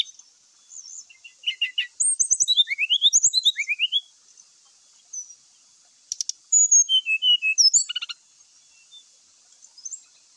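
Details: Brown-chested jungle flycatcher lure song meant to provoke other males to fight and sing their repertoire; quick rising whistled slurs in a lively run, a pause, then sharp chips and a few falling whistled notes.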